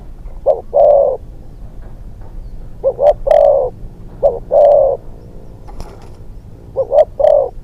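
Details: Young decoy Spotted dove on its second training trip in Thailand, calling in spaced phrases: one or two short clipped notes leading into a longer, deeper coo, repeated every few seconds over faint background noise.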